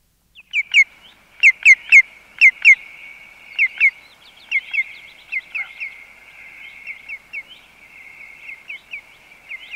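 A male Common Greenshank gives ringing, fluted notes in quick groups of two or three, running into a rhythmic, repeated song phrase; steady background hiss throughout.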